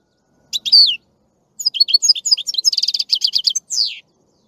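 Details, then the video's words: Goldfinch singing: a lone slurred whistle, then a rapid tumbling sequence of twitters, chirps and buzzy trilled notes ending in a falling whistled slur. "Красивое пение щегла. Singing goldfinch. آواز خواندن فنچ"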